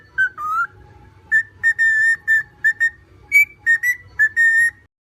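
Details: Short burst of cockatiel song: pure whistled notes, an opening downward slur, then a string of level whistles and one higher note, each clearly separated, with a low steady hum underneath.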